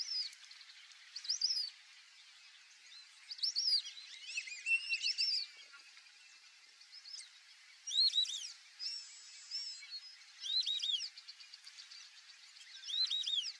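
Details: Wild black-bellied whistling ducks by a lake give high, clear whistled notes in bursts of several syllables every couple of seconds, with a faint steady hiss behind them.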